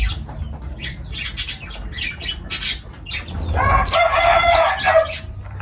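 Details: Lovebirds, pet parrots, giving a series of sharp high chirps followed by a longer harsh, buzzy squawk with layered overtones, over a low steady rumbling background.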